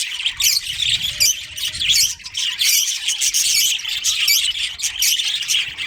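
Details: Budgerigars in a colony that includes a breeding pair, chattering constantly; busy overlapping chirps and harsh squawks with quick warbling notes and no pauses.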